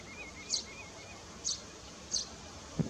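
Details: Eurasian tree sparrow that has bred for years in a nest box on a barn at Landje van Geijsel, now a rare species there, 21 May 2022: three short high chirps about every 0.8 seconds, a faint wavering whistle from another bird, steady background hiss.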